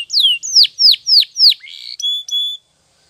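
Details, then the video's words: Spanish Timbrado canary, morning training song: five loud downslurred whistled notes about every quarter second, a soft buzzy note, then two flat pure whistles before silence. "The Best Canary Training Song In The Morning !! Make Your Canary Singing Again"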